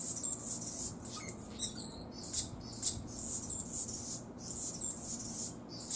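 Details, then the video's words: Anna's hummingbird singing rapid scratchy, buzzy, very high-pitched bursts broken by brief gaps, with sharp squeaky ticks between phrases and a couple of faint lower whistled notes. "Anna's Hummingbird Sings"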